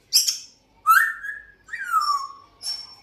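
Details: Pet African grey parrot that is always whistling and trying to talk: clear whistled notes, one rising then gliding level, another sliding downward, with a clicky burst at the start and a high thin tone near the end.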